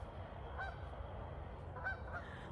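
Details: At dusk in a cemetery, a passing flock of Canada geese heading south gives two distant, nasal honks about a second apart, over low rumbling wind and outdoor noise.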